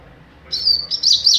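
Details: Captive young double-collared seedeater performing mateiro song: a thin, high sustained whistle followed by quick wavering, trilled notes, clear against a quiet room.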